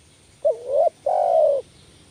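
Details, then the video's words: Spotted dove luring call: one clear phrase with a short, hooked, rising first coo, a brief pause, then a longer, steady, gently descending coo. "panggilan tekukur males bunyi kuk 1"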